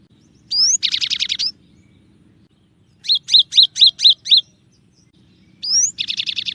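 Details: Cinereous tit song in the tembakan variation: a rising whistle leading into a fast buzzy trill, then a clear run of six repeated sharp tsee-chu notes, then another rising whistle and buzzy trill.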